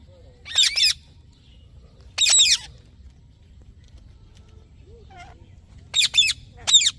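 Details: Parrot giving loud, harsh squawks in short bursts about every one to two seconds, with a softer, lower chirp between them and quiet in the gaps.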